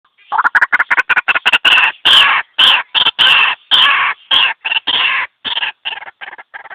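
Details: White-breasted waterhen (ruak-ruak) call used as a trapping lure: a rapid, fast-paced run of harsh, dense notes about two per second, loud and rough, ending in slightly shorter, weaker bursts.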